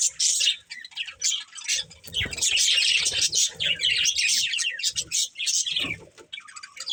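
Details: Pet budgerigars, a breeding pair, chatter continuously with rapid, scratchy warbling and clicking chirps, loud throughout with only brief dips.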